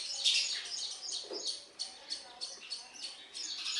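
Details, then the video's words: Young sparrows call for food while a parent feeds them, giving soft, high, short chirps repeated roughly every third of a second, fairly quiet throughout. "Sparrow bird feeding food to baby birds"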